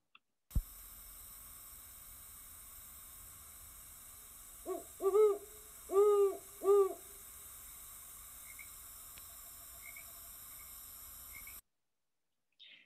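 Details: A played recording of a Great Horned Owl, calling in winter to establish territories before February nesting, gives a deep, soft hooting phrase in a stuttering rhythm, about five low hoots in two seconds, over a steady electronic hum.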